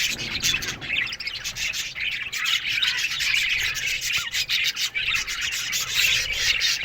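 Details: Budgerigar colony in an aviary in the morning, a steady wash of overlapping chirps, squeaks and scratchy warbles from many birds, with some rustling underneath.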